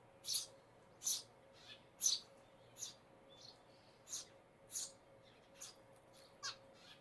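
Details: Eurasian tree sparrow giving short, high chirps, about eight spaced roughly every second with slightly uneven timing, over a low steady background hum.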